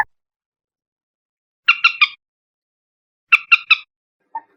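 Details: Two loud triplets of harsh, grating notes from a common moorhen, separated by a pause of over a second. A single soft low note follows.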